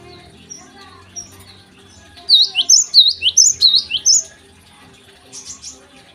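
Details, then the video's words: Java sparrow in morning song: faint twittering builds into a quick series of about eight bright, high, slurred notes, then softer chirps trail off. "gelatik gacor di pagi hari"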